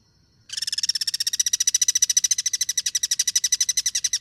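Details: Wild Guira cuckoo in natural habitat during cross-singing: a sudden loud, dry rattle of rapid pulses, about ten per second, running steadily for nearly four seconds with no other sounds.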